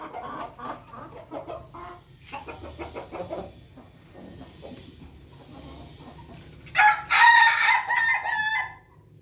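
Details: Crowing Pelung rooster: quieter pulsed clucking notes in bursts at first, then a loud, drawn-out harmonic crow near the end with a quivering, stepped finish.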